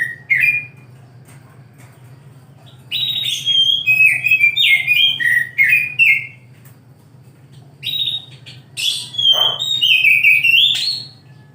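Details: Oriental magpie-robin morning song: bursts of varied clear whistles, each phrase built from short rising and falling notes, some with scratchy edges, separated by brief pauses, over a faint steady low hum.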